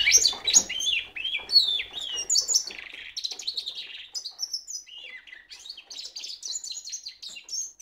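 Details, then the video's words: Cock goldfinch mule, a caged hybrid, singing in full: rapid, varied twittering with clipped chirps, buzzy trills and high whistled slides, delivered as a steady unbroken stream of notes. "cock Goldie mule"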